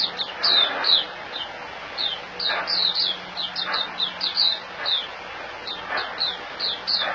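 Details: Caged white-eye (puteh) singing in the hand in Singapore, January 2018. It gives a lively run of thin, high, down-slurred chirps in clusters of two or three, with faint soft background noise between phrases.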